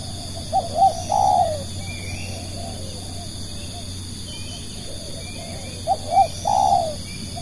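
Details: Spotted dove kept as a lure bird to attract other doves, giving two three-part cooing phrases about five seconds apart: two short low coos, then a longer drawn-out croo, over steady high-pitched background droning.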